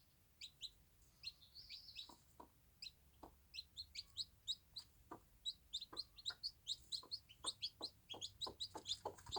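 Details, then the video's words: Bantam hen with her chicks on a small farm, clucking softly in an even rhythm that quickens toward the end. Constant high, thin peeping from the chicks runs over it. "Cute bantam mum enjoying her day with the babies"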